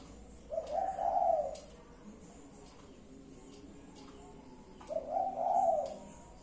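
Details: Pet spotted dove cooing twice, each soft rolling low phrase lasting about a second and spaced roughly four seconds apart, with faint clicks and a quiet room between calls.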